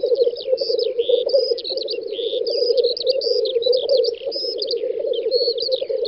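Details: Several black grouse lekking on a spring field in western Russia's Volga federal district, 9–10 May 2019; a continuous dense bubbling chorus with sharp, higher whistled and hissing notes scattered over it.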